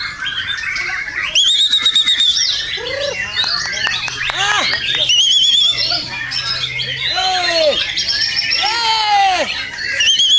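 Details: White-rumped shama song used as training material for singing contests: loud, varied phrases of clear whistles, rising and falling sweeps and sharp chips, some high trilled notes, mixed with squawks and a low steady hum.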